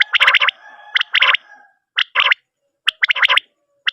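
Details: Common quail, possibly a male calling at night, gives quick, liquid three-note phrases repeated about once a second with short pauses between bursts; no other noticeable sound.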